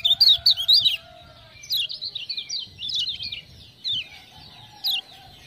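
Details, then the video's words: Lemon-bellied white-eye from Lombok sings after "ciak-ciak" prompting. Short bursts of high, rapid zigzagging chirps are separated by pauses, then followed by single sharp notes. Faint lower tones sound in the background. "Kecial Kuning joss gacor"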